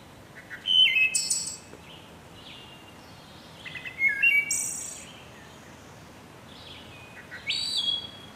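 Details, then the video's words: Wood thrush singing three flute-like phrases, each of liquid mid-pitched notes ending in a high, shimmering trill, spaced about three seconds apart over a quiet background. "Wood Thrush Bird Beautiful Sing"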